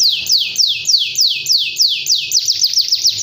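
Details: Canary singing gacor, in full continuous song: a quick series of bright downslurred sweeping notes, about three or four each second, speeding into a rapid tumbling run of short sweeps near the end.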